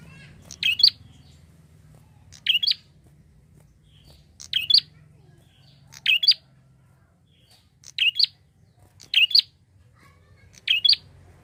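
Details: Prinia (prenjak) calling in a lively, chatty way, used as a lure call for flocking birds: short sharp double chirps between 2 and 5k, repeated about every one and a half seconds, with a faint low hum beneath.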